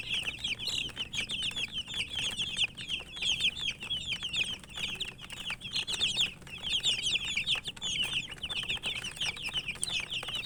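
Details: Feeding chicken chicks chirping in a busy flock, high falling peeps pouring out in bursts with brief lulls, accompanied by constant clicking of pecking and rustling movement.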